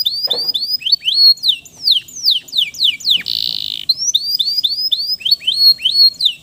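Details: Male canary in full song, played as a stimulus for stressed canaries that have stopped singing: rolling upslurred whistles, a run of steep descending notes, a brief buzzy rattle, then more rising whistles.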